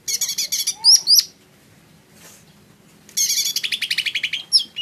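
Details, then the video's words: Lesser green leafbird gives a quick burst of scratchy chatter with bright upswept whistles. After a short quiet gap it sings a long trill of rapid, buzzy, evenly spaced notes ending in a sharp whistle. "Suara burung cucak ijo mini"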